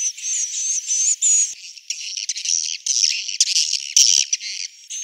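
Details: Roosting swiftlet chatter used to attract the birds into a three-storey house: high whistled notes and buzzy twitters in uneven bursts, with brief quiet gaps.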